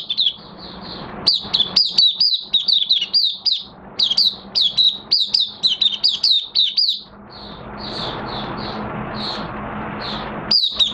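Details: Caged Oriental white-eye, in minor moult, singing openly on 3 June 2022: soft high notes build into a fast, dense chatter of sharp chirps, followed by a long hissing passage with a few faint notes.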